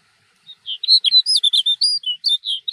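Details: Snow bunting (Plectrophenax nivalis) singing at Jökulsárlón Glacier Lagoon, Iceland: a quick, jumbled run of clear, high warbled notes, about a dozen in two seconds, with no other sounds.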